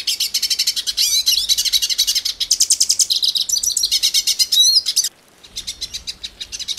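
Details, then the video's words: Loud, fast hooded siskin song from Brazil, packed with buzzy trills and sharp high chirps, breaking off abruptly into a short silence before quieter twitters return. "The Song of the Pintassilgo Cabeça Preta"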